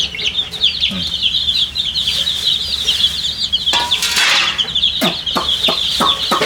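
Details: A flock of coloured poultry chicks calls out in thirst for water, a continuous dense chorus of high, shrill, overlapping peeps, with brief clattering knocks and rustles.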